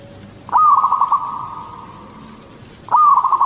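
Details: Katuranggan Cendolo Sabdo song of a local zebra dove, used to lure others of its kind: a clear cooing note breaking into a quick stuttered trill, held and fading, then starting again three seconds later.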